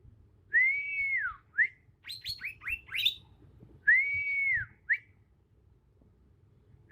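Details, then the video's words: Bornean green magpie, young wild bird still changing into adult plumage: a clear arched whistle and short upslur, a cluster of rapid high chirps, then the arched whistle repeated. "Suara asli alam cucak ijo kalimantan"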